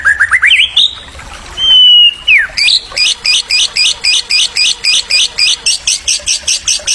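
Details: White-rumped shama song played to stimulate young birds: a few rising whistles and a long clear held note with a dropping slide, then a fast, even run of buzzy high notes repeated about four per second.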